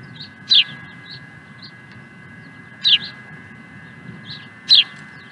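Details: Osprey at Dunrovin Ranch, recorded 16 April 2020 in mid-afternoon: three sharp, bright, high chirps spaced about two seconds apart, with softer faint chirps between them over a steady electrical hum.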